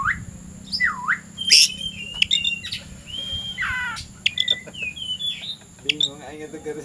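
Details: Oriental magpie-robin, described as ready to fight a rival, singing in the late afternoon: varied whistled phrases, sweeping notes and rising slurs, with sharp high notes and a harsh lower rasp near the end; a steady background hum.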